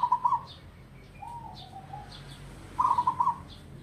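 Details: An old, local-bred captive zebra dove, kept for decades, gives soft, bubbling trilled coos in quick pulsed bursts, with a lower drawn-out coo between them, over faint background hiss.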